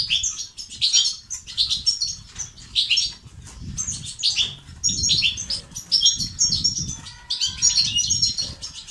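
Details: Lively European goldfinch song of the batbata and sastasat kind, meant to get males singing and active; quick tinkling twitters and short buzzy runs come in bursts, with some soft lower notes and background rumble.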